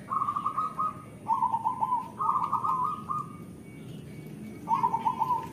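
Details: Song of a local zebra dove in lively voice. Four similar phrases each open with a brief stutter of notes and run into a level, bubbling trill. Phrases come about a second apart, with a pause before the last one. Faint background hiss.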